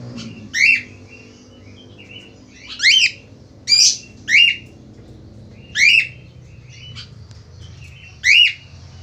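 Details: Male Australian finch in full voice: short harsh, nasal downslurred squawks, seven in nine seconds, some paired close together, separated by quiet gaps with faint background hum.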